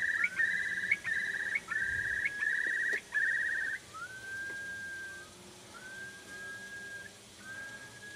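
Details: Eurasian curlew calling in the Peak District near Buxton, Derbyshire, 28 April 2013: loud bubbling, trilled notes on one pitch, followed by several separate long whistles that each slide upward and then level off.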